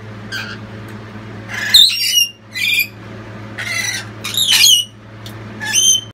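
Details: Family of lorikeets loudly supporting the youngest chick after it leaves the nest box; grating, high screeches in short bursts, several in close succession, with a steady low hum behind.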